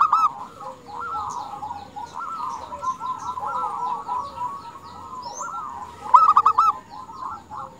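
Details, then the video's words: Female zebra dove calling males, a continuous warbling, trilling series of mid-pitched rolled notes with brief louder bursts near the end, over faint high chirps from other birds. "Perkutut betina gacor memanggil jantan"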